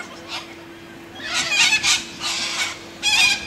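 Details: Australian white cockatoos, described as very noisy, give harsh rasping screeches after a quiet second: three loud bursts, the last a grating shriek, over a faint steady low hum.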